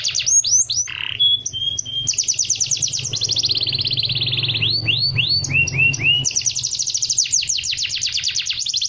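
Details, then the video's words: Canary song meant to be imitated by other birds: quick falling whistles, a short level whistle, then dense rolling trills and looping upswept notes, loud and continuous, with a low mechanical hum underneath. "SEKALI PUTAR KENARI LANGSUNG NYAUTTT!!"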